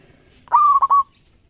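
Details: Single loud song phrase of a local zebra dove for luring: a sharp rising coo that rolls into three quick pulses, lasting about half a second.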